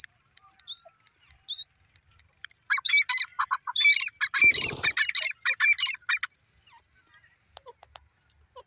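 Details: Grey francolin, called dakhni teetar, building from a few scattered high notes into a rapid run of harsh, chattering phrases for about four seconds. A dull thump cuts through the middle, then it trails off to sparse faint notes.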